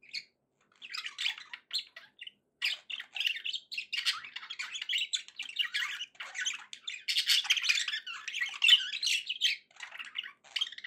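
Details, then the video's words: Contented pet budgies produce a long, steady flow of chirpy, scratchy warbling with quick squeaks, building to a busier stretch in the second half. "happy budgie sounds"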